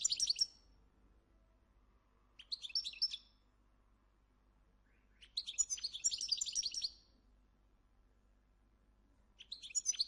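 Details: A Moroccan European goldfinch at a breeding farm sings in bright, tinkling bursts of rapid twittering notes, each lasting about one to two seconds with short pauses between.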